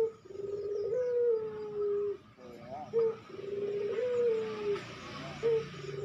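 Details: Fast cooing of a dove used as a training recording for captive birds: long, slightly falling tonal coos repeated in phrases, with short rising notes between them and faint background noise.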